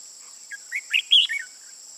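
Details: Red-whiskered bulbul, an old wild-season bird with red eye patches on both sides, used as a decoy for trapping on 15 June 2018; a short burst of bright, warbled notes rising in loudness over under two seconds, with a steady high hiss.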